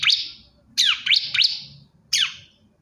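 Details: Male bar-winged prinia calling a female: a single rising chirp, then three quick upslurred and downslurred notes in a row, and one more after a pause, all high and ringing.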